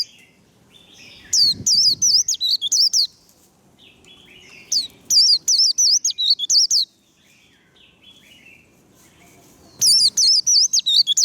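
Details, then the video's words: Three bursts of the líu đấu trill from a warbling white-eye: shrill, wavy whistles rapidly repeated, each burst lasting under two seconds, with faint low rustling in between. "Vành khuyên líu đấu. Khuyên líu kích bổi. Kích lửa vành khuyên líu đấu"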